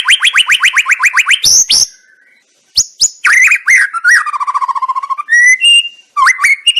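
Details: White-rumped shama song played to provoke a bold reply: a rapid series of rising whistled strokes, then sharp high notes, a pause, and rich warbled phrases with a fast descending trill, loud and clear.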